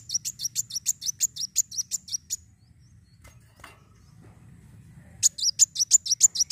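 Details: Van Hasselt's sunbird singing a fighting song meant to stimulate other birds: rapid bursts of sharp, high chirped notes, about three per second, a silent pause midway, then the quick series resumes; faint low hum underneath.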